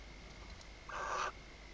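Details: Male barn owl bringing the night's first prey to the nest, filmed inside a nest box at Riet Vell nature reserve, Ebro Delta, Spain, 21 October 2025, during a second clutch; one hoarse, rasping screech lasting about half a second over faint hum.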